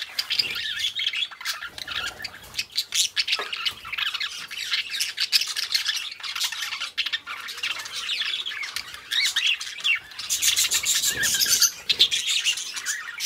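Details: Pair of companion budgies warbling almost without pause, a busy mix of buzzy chatter, squeaky chirps and harsh squawks coming in quick bursts, with brief rustling and clicks.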